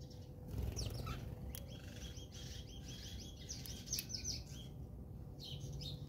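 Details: House sparrows squabbling in a fight in South Africa, giving a rapid run of sharp, overlapping chirps, several birds calling at once, over a steady low rumble of background noise.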